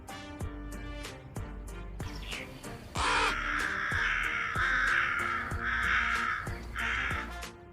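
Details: Crow, given the Urdu name kawwa, calling with harsh, drawn-out caws that begin midway and repeat over steady rhythmic background music.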